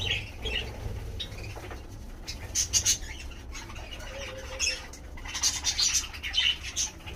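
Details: Pet budgerigars at home give sharp, scratchy chirps and squawks in short bursts over a low steady hum.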